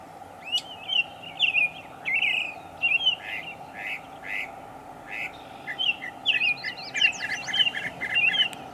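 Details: Northern mockingbird in Savannah, New York, 23 May 2021, mixing many sounds: a long string of varied chirps, harsh buzzy notes and rapid repeated upward-flicking whistles, phrase types changing every second or two, low hum in background.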